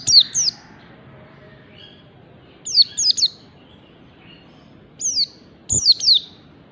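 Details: White-eye practising the rapid 'ngalas' style, giving sparse pairs and triplets of thin, high, falling chirps spaced a second or two apart, with quiet gaps between.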